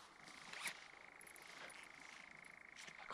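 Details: Nightjar churring: a faint, steady, finely pulsed trill held at one even pitch for the whole stretch, with a few soft clicks and rustles on top.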